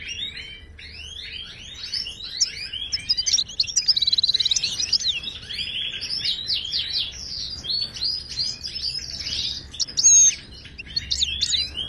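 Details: European goldfinch from Morocco singing as a tutor for caged birds; a long, dense stream of tinkling twitters, buzzy trills and swept notes, loud and continuous.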